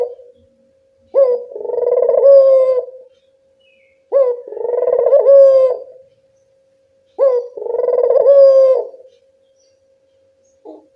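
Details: Three evenly spaced coo phrases from a local puter dove, meant as a lure to get birds to reply. Each starts with a brief rising note and runs into a rolling, held coo. Quiet gaps fall between them.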